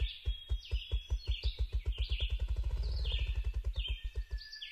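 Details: A male ruffed grouse drums by rapidly flapping his wings against his breast, giving deep, muffled, low-toned thumps in a rapid run, while another bird gives thin, high whistled notes over the top.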